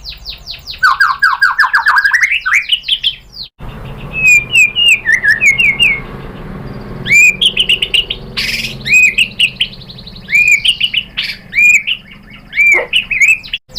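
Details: White-rumped shama used as a lure to provoke a reply: a descending buzzy trill, a brief gap, then varied staccato whistled phrases, sharp chips and upslurred whistles in irregular bursts.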